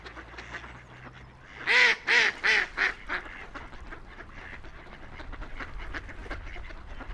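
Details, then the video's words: Ducks floating, splashing and playing along a quiet river: four loud, harsh, nasal quacks in a quick evenly spaced run, then softer scattered chatter and clicking splashes over a faint background of flowing water. "Relaxing Ducks Quacking by the River"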